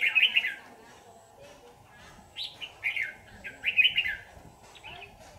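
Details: Wild red-whiskered bulbul caught in a trap and later released, late in the season: bubbly, warbled whistled phrases in short bursts separated by pauses of about a second, fairly loud and clear against a quiet background.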